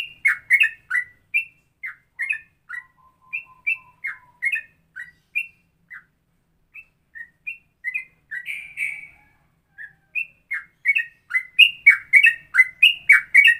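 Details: Straw-headed bulbul singing ropelan, a style blending Cucak Rowo and Cucak Jowo (trucukan) phrases: bright, bubbling whistled notes in clustered runs with short gaps, quieter in the middle and building to dense, loud bursts at the end.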